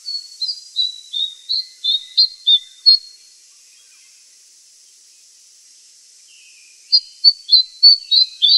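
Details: Andaman bulbul (Brachypodius fuscoflavescens) giving short, sharp high whistles in a brisk series of about nine notes, then a pause, then another rapid run of similar notes over faint background hiss.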